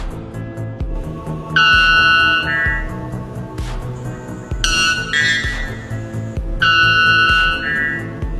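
A White bellbird gives three very loud, ringing, metallic calls, each about a second long and dropping in pitch, over steady background music with a thumping beat.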